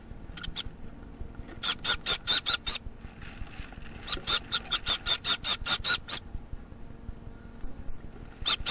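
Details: Young Gouldian finch around a week old, still fed by its parents, producing bursts of rapid raspy notes, two runs of about ten calls each separated by quieter pauses, with a faint background hum.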